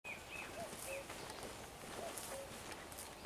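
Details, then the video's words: Common cuckoo calling on 11 June 2023, two-note descending cuckoo phrases heard twice, with a common redstart singing thin high notes in the background over steady outdoor ambience. "Kukanie kukułki"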